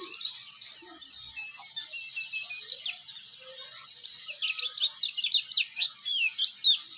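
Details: Bustomi-type Oriental white-eye singing ngeriwik style, offered as a training master song for other white-eyes: rapid high twittering with short whistled slides and sharp chips pouring out nonstop, rhythmic pulses roughly several per second, background quiet.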